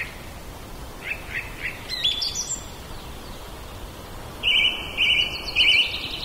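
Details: Common blackbird singing in a back yard, captured with a Zoom H2n portable recorder: a few soft notes, a squeaky high twitter, then three loud, clear, quickly repeated warbled figures near the end over faint background hiss.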